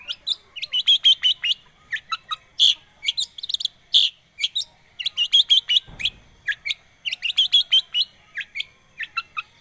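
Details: Lure recording of a long-tailed shrike for prompting a bird that has stopped singing: dense, rapid chattering bursts of high scratchy notes in tight clusters, pausing briefly, with one low thump midway.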